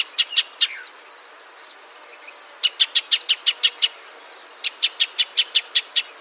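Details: Shining sunbird (Cinnyris habessinicus), a bird of arid woodland and scrub, giving bursts of sharp, high clicking notes, about five or six in quick succession, over a thin steady high whistle; nothing else is heard.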